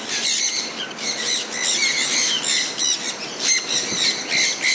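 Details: Pet sun conures enjoying falling rain: harsh, shrill screeches with layered overtones repeat rapidly and irregularly, about three per second, several birds overlapping, with steady rain hiss beneath.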